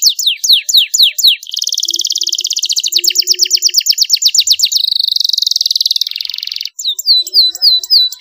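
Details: ['Young canary singing in the luxurious cengkok mewah style with a clear voice, recorded as a long master track for training songbirds: loud descending slurred whistles, then long rapid rolling trills, a steady buzzy roll and more downslurred notes.']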